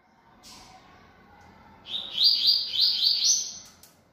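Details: Caged Yellow-bellied Seedeater, bold and very vocal, gives a faint note, then a strong high phrase. It is a whistle followed by an evenly repeated run of quick, buzzy, chirping notes lasting nearly two seconds.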